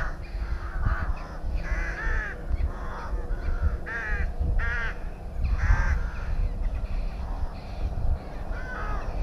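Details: Rook colony at Tyrnovo with birds at the nest: rasping, nasal caws come in irregular bursts, some drawn out and quavering, with several birds calling over a deep rumbling background.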